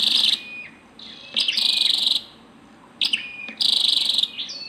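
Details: High, harsh buzzy bursts about half a second long from a female scarlet-backed flowerpecker, each paired with a short thin whistle, repeated three times with quiet pauses between.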